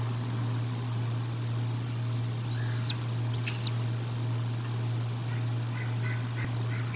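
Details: Bald eagle calling at the Decorah North nest during feeding, 1 April 2022, on a nest camera: two high, thin, arched whistled notes about a second apart over a steady low hum, with faint softer chirps afterward.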